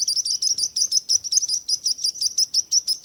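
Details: Bright, sharp chirps from birds, about three per second, high-pitched and evenly spaced.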